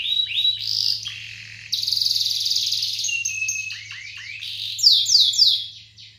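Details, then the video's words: Canary singing lure song meant to prompt other canaries; unbroken high trilling that moves through sustained buzzy rolls and quick descending note series, ending in sharp ringing phrases, over a faint low hum. "PANCINGAN KENARI GACOR"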